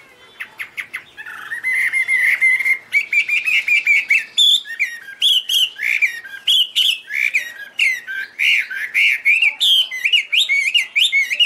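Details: Chinese hwamei singing a loud, varied run of whistled phrases, starting with a few short notes, then a long string of rapid, warbling and slurred notes that keep changing pitch.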